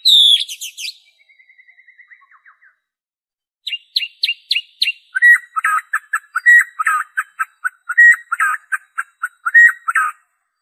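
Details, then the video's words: Pure white-rumped shama song without borrowed insertions, used as a prompt for shamas to sing: a shrill opening phrase, a fading trill, high clipped notes, then a long rhythmic stream of repeated warbled chirps. "PANCINGAN SUARA MURAI BATU ORIGINAL TANPA ISIAN"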